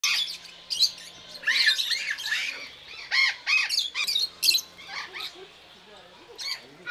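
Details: Rosy-faced lovebirds at Belgrade Zoo, Serbia, in October 2022, filmed on a Panasonic AG-CX350: bursts of shrill, harsh squawks and chirps from several birds, overlapping in irregular flurries.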